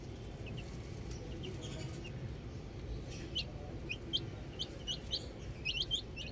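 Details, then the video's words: Outdoor baby chicks chirping, with scattered thin, high peeps early on that grow into a rapid string of short rising chirps over the final three seconds, above a constant low background rumble. "Cute Baby Chicks Chirping Sounds"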